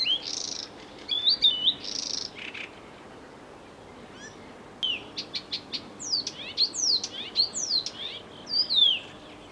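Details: Blyth's reed warbler singing: a loose series of varied phrases, dry buzzy bursts and chattering notes, then after a short pause clicking notes and repeated sharp descending whistles, with quiet background.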